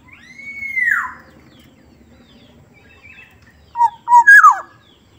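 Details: Black-naped oriole of the Sumbawa type, noted for its soft voice: one long, clear whistle that holds steady and then slides down, a pause, then short fluty whistles and a harsh, falling, nasal note.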